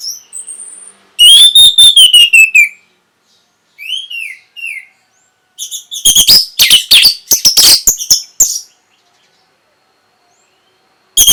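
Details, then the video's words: Orange-headed thrush song aimed at stimulating breeding and a reply: a long sliding whistle over rapid clicks, short downslurred whistles, then a loud stuttering run of shrill high notes before silence. "NYANYIAN BURUNG PUNGLOR PEMBANGKIT BIRAHI AGAR KENCENG YANG PASTI 100% BAKAL NYAUT"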